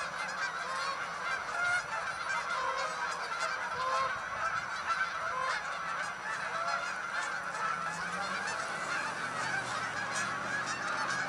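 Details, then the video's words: Huge flock of Canada geese taking flight together; dense, continuous overlapping honking, individual nasal calls occasionally rising above the steady chorus over eleven seconds. "Look to the sky - Canada Geese"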